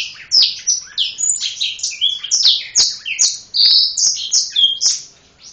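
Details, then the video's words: Black-throated canary singing energetically with wings spread: a rapid, continuous run of clear high whistles and sweeping slurred notes, many falling in pitch, delivered several per second without pause against a quiet background. "Blacktroath / serinus atrogularis gacor buka sayap"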